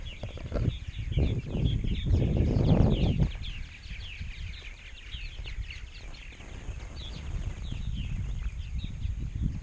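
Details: Large purple martin colony in Rainsville, Alabama, around 920-930 nesting pairs in 2016: many birds chattering at once in quick, squeaky chirps, with a loud low rumbling burst early on before the chorus continues over a softer background.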